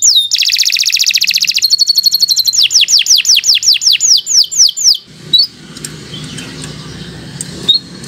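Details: Canary song meant for training young birds: a buzzy, high trill followed by a steady series of downward-swept whistled notes about three per second, ending after five seconds, with faint background noise after.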